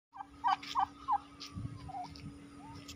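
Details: Turkey giving three loud, looping warbled notes about a third of a second apart, followed by softer trailing calls, with a steady electrical hum underneath.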